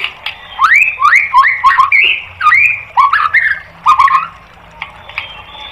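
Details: White-rumped shama singing loudly as training material for caged birds: a run of clear whistled notes that rise and fall, given in quick linked phrases with a few sharp clicks between them and a fading close.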